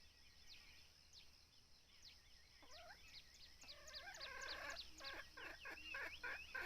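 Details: Red junglefowl lured by a decoy bird; thin high chirps build into a long, rough crow of rapidly repeated raspy pulses that grows louder toward the end.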